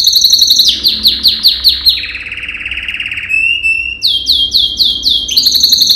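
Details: Male yellow canary, Serinus canaria, performing a training song for other canaries. Rapid descending slurred notes in quick series lead into a steady buzzy trill, then a thin whistle and renewed fast rising strophes, over a faint low hum.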